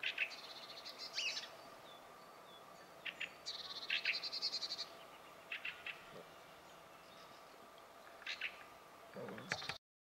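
A Fieldfare sings in short, scratchy bursts of squeaky, chattering notes every second or two, over a faint steady background hum.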